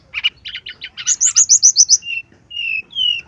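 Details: Brown-chested jungle flycatcher lure song: a string of repeated buzzy chirps speeds into a run of eight bright high slurred notes, ending with drawn-out level whistles.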